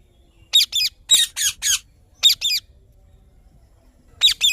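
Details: Indian ringneck parrot chirping: sharp, high squawking chirps in quick clusters of two or three, separated by short quiet gaps.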